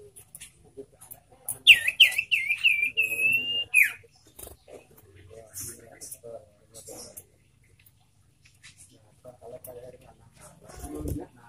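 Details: Caged sirtu giving a long, slightly wavering whistled note that ends in a quick downward slur, followed by quiet room sounds and faint low noise.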